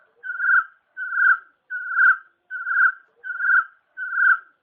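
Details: Chinese francolin call used as a hunting lure: six evenly spaced, mid-pitched buzzy notes, each about half a second long, repeated roughly every three-quarters of a second with clean silence between them.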